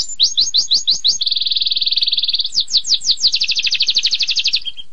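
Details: A canary sings in bright tours: a run of quick downslurred chips, a long rapid trill, then more slurred notes into another fast rolling trill, as part of a long-duration canary song.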